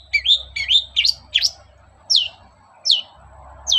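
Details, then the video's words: Long-tailed shrike singing in the morning as a lure for other shrikes: quick rising-falling whistled notes in a cluster, then single descending sharp notes spaced under a second apart over a low hum. "SUARA PANCINGAN BURUNG CENDET GACOR PAGI HARI"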